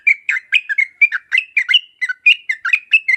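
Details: Yellow-vented bulbul singing a sharp 'uplik uplik tarong ropel' style lure song meant to provoke other bulbuls into replying: steady stream of bright gurgling chirps and warbles in fast, evenly spaced bursts throughout.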